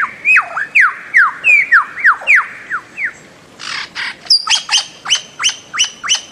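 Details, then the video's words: Bird-of-paradise calling: a series of loud, sharply falling whistled notes, then a brief harsh burst and a run of short, upswept, clipped notes repeated about three times per second. "Bird of Paradise Calling Sound"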